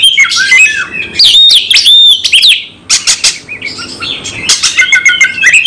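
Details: Oriental magpie-robin in aggressive full-repertoire song: energetic mix of bright whistled notes, harsh rasps and quick chattering phrases, with a short lull midway before resuming strongly.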